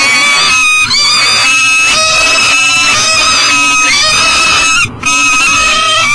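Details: Peregrine falcon with breakfast, kept out of its nest box at an energy station in Elk River, Minnesota, early morning. Steady stream of loud, raspy, wavering wails with a brief break near five seconds.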